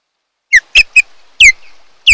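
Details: At a Kent Island, Maryland nest on 8 July 2018, a wild osprey (Pandion haliaetus) of a mated pair gives shrill whistled calls picked up by a nest cam: a quick cluster of three clipped notes, then two longer falling whistles.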